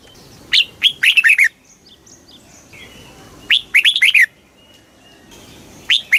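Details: Red-whiskered bulbul song for fast kích bổi training of new wild-caught birds: two full cheerful phrases of rapid slurred whistles about three seconds apart, plus the start of a third.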